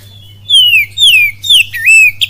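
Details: Oriental magpie-robin singing kapas tembak cililin style: four loud sweeping whistles, each sliding downward, the last dipping then rising, with a steady low hum underneath.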